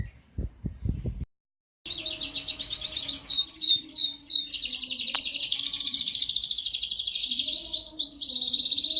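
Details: Prize-winning lively canary: after brief knocks and a pause, it launches into rapid high trills and descending swoops, with a faint lower hum in the background.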